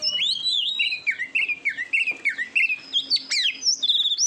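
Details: Kacer song for training competition birds: a series of rising and falling whistled notes, fairly even in rhythm, then a burst of high sharp notes and a final clear whistle.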